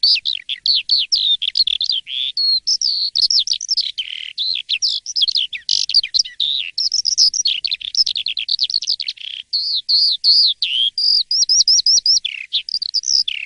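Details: Morning song of a jalak suren, the Asian pied starling, sung energetically: a long dense medley of clear whistles, quick upslurs and chattering notes poured out almost without pause.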